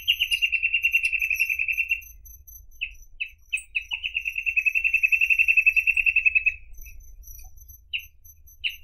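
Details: Reed parrotbill (Paradoxornis heudei) singing: fast, even trills of sharp chip notes around a steady mid-high pitch, two long rattling runs of about two seconds each separated by scattered single chips, over a faint low hum.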